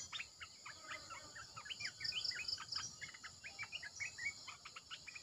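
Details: Red-eyed bulbul decoy calling: spaced short chirps and upslurred notes in loose bursts, with a brief series of high pulsed beeps and a faint steady drone behind.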